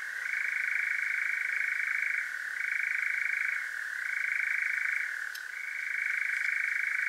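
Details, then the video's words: European nightjar churring at night in Devon, South West UK, captured with a parabolic microphone and Zoom H5: an unbroken, rapid mechanical trill that holds a steady pitch, with slight drops in pitch near two and four seconds and a brief click near five seconds. "Powerful Nightjar Churring"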